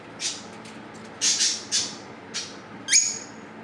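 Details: Pair of rose-ringed parakeets calling: a series of short, sharp, high chirps at irregular intervals, ending in a shrill squeak.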